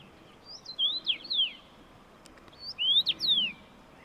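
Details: Common rosefinch, filmed on a Fujifilm X-T3, giving two bright whistled phrases: quick sliding notes swooping up and down, the second phrase louder and cleaner, against quiet hiss.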